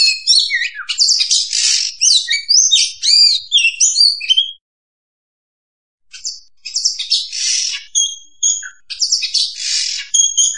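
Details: Oriental magpie-robin lure song for trapping: dense bursts of harsh chatter and looping whistles for about four seconds, a silent gap, then another energetic run of rasping notes and pure whistles.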